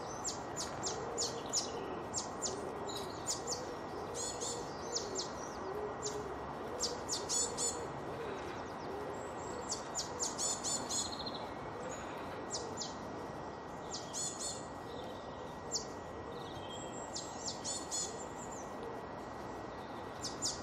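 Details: Sparrows feeding at a garden bird feeder chirp busily, with quick, high, repeated notes over a steady whine and background hiss.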